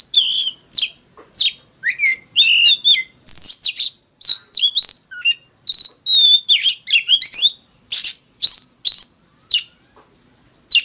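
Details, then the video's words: Oriental magpie-robin singing its fighting song over about eleven seconds: dense, varied phrases of sharp chirps, warbled whistles and downslurred notes, delivered almost without pause. "Choè than hót múa . Tiếng than mồi hót đấu .kích choè than hót sáng"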